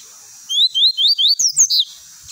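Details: Lined seedeater singing a "tui tui" type song, used for tutoring: quick, clear, high whistled slurs about five times a second, ending in buzzier, harsher notes, over a steady background hiss.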